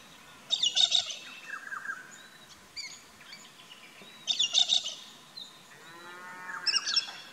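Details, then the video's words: Galah in an Australian backyard garden: three bursts of harsh, grating, screechy calls, each about half a second long and spaced a few seconds apart. Between them other birds add thin chirps, whistles and a trilling note. "Bird Calls/Songs/Sounds~Australian Galah"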